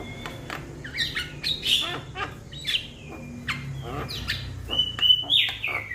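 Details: Young Javan myna calling to its companions: varied harsh squawks and chirps mixed with drawn-out whistles that rise then level off, broken by short gaps, over a low steady hum.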